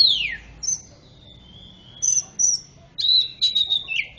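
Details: Greater green leafbird singing a mix that includes magpie-robin phrases, meant to prompt mute birds to sing: a loud downslurred whistle, a thin drawn-out note, then clustered sharp high chirps and whistles.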